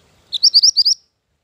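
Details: A short phrase from a mantenan gunung bird used as lure and training master: one lower opening note followed by four or five high, rising whistled slurs, then quiet.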